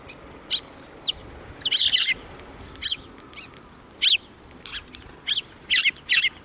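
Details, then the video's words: Sparrows flying in to be fed along a path at a Tenmangu shrine, 21 April 2024; short bursts of high, scratchy chirps come in clusters with gaps, one longer chattering burst near the start, over quiet outdoor background. "行き道の途中で 餌を貰いに飛んで来る雀達"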